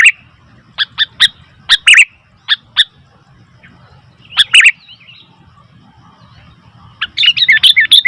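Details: Sooty-headed bulbul calling noisily: scattered sharp single chirps, a short warbled burst midway, then a dense run of rapid chirps near the end, with a faint low hum throughout.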